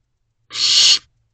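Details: Young barn owl begging for food from its parents at 1:15 am, May 2023, looking out of its nest box: a single breathy, rasping screech, rising quickly to full strength, then ending abruptly.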